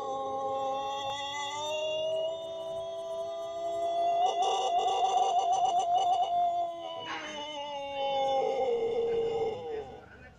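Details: A Pelung rooster gives one loud, drawn-out, melodious crow lasting about ten seconds, rising, wavering with a trembling vibrato in the middle, then falling away at the end.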